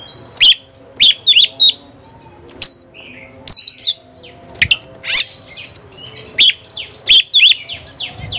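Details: White-rumped shama, worked up and looking for a fight, giving sharp high whistled notes and quick descending chips in short clusters roughly every second.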